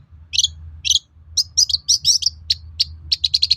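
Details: Shrike lure song, long-tailed shrike, aimed at getting others to reply: scratchy, squeaky notes, at first spaced then quickening into a quick series of short chips, with a low background hum.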